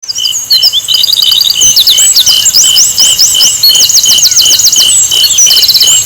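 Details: Asian brown flycatcher song, played to provoke other birds into singing. It has very high, thin looping whistled sweeps in fast runs, then quick repeated zigzag notes and short rapid trills, over a steady high-pitched insect-like drone.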